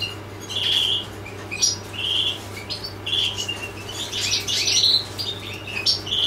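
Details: Goldfinch giving short bursts of sweet, clear notes separated by brief pauses, then a busier tinkling twitter near the end, accompanied by a low continuous hum.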